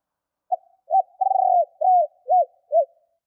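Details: A female spotted dove calls to lure males: a brief soft note, a hollow coo, a longer quavering rolling coo, then three rounded low coos spaced about half a second apart, with no other sounds.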